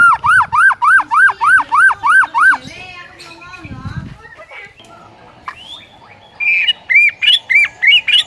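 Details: White-rumped shama morning lure for training a mute bird to sing: loud looping whistled notes repeated about three per second, a quieter mixed stretch, then the looping whistles return.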